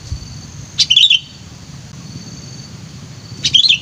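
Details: Sooty-headed bulbul kept as a lure bird, described as lively and very vocal; two short bursts of bright, bubbly chattering notes about two and a half seconds apart, with quiet low background hum between them.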